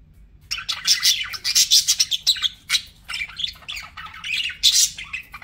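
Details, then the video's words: Pet budgies heard in continuous high chatter, rapid clicks and scratchy chirps in dense bursts with short gaps, a few clear squeaks standing out, soft low background hum. "BUDGIE SOUNDS"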